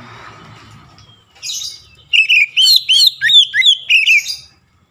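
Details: Oriental magpie-robin song played to stir up rival magpie-robins: a quick run of about seven loud, curving whistled notes in close succession, preceded by a softer buzzy phrase, over faint low hum.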